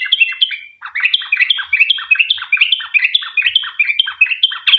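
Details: Sooty-headed bulbul in fast, continuous chattering song used as a lure to prompt other bulbuls to sing, a 'ropel panjang' long rapid style; bubbly chirped notes tumbling up and down, about two or three per second, with no other sounds.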